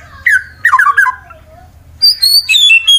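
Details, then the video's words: Fighter white-rumped shama, Wonosobo, Central Java, Indonesia, singing to provoke rivals; short clear whistled phrases sliding downward, then high thin drawn-out whistles, with low hum behind. "Murai BATU FIGHTER Bikin Emosi lawan langsung GACOR Sangat Ampuh Dijadikan Lawan tanding"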